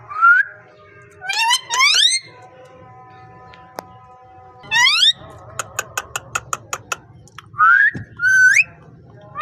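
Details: Talking parrot with rising whistled sweeps, a long flat steady tone, a run of regular sharp clicks, and more upward whistles at the close.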